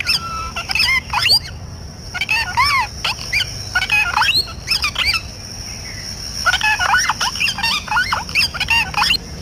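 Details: Parrot voice in a natural setting, bursts of chattering squawks and bent whistled notes in clusters, separated by short quiet gaps, with steady faint background hiss.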